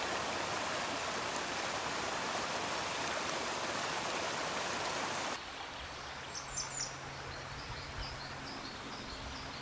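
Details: A grey wagtail near Haaksbergen, Netherlands, gives a few sharp, high, clipped notes after a stretch of rushing water.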